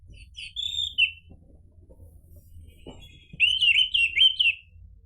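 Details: Orange-headed thrush (anis merah) sings a smooth whistled note that drops away, then after a gap a loud run of wavering, warbled notes, with faint clicks and low hum behind.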